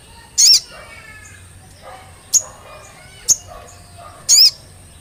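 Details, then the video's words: Olive-backed tailorbird lure recording: two piercing high chevron-shaped notes at the start and end, with two short sharp clicks between them and a low hum underneath. "Pancingan Sogon Agar Cepat Bunyi Dan Gacor"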